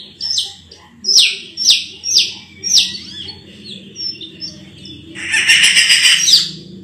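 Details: Sulawesi myna (raja perling) delivering loud, descending whistled notes roughly every half second, followed by a dense, buzzy, chattering burst near the end.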